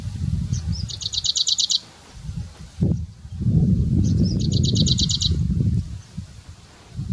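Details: Grey-breasted prinia at Bundala National Park, Hambantota, Southern Province, Sri Lanka, in January 2019: two bursts of rapid, evenly spaced high chips, about nine notes each, lasting roughly a second, over heavy low rumbling noise.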